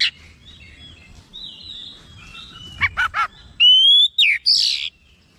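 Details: Oriental magpie-robin, agitated and responding: quiet warbled notes, then three sharp clicky bursts, followed by a loud clear rising whistle and a harsh buzzy phrase.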